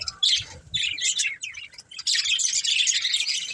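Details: Budgerigars of a breeding pair deliver bursts of buzzy, high chattering chirps, pausing briefly near the start and middle, then running into continuous warbling.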